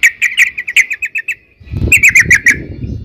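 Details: Rapid ropel-style run of bright repeated chirps from a yellow-vented bulbul, trailing off, then a shorter quick series returns over rising low rumbling noise.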